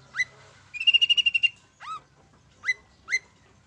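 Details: Long-tailed shrike song played to provoke birds to sing: a rising whistle, a fast even trill of about eight notes on one pitch, then three more short upslurred whistles.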